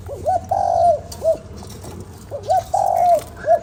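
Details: Spotted dove calling to stimulate a lure bird: two clear phrases, each a short rising hoot, a long level coo and a final brief hoot, over a quiet low hum.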